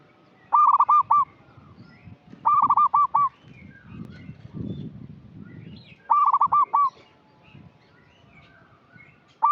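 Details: Local zebra dove (perkutut) singing steadily, a lure call for untrained birds: three rippling, cooing phrases around two seconds apart, each a quick run of rolled notes ending on a longer coo, then the start of a fourth, over low background rumble.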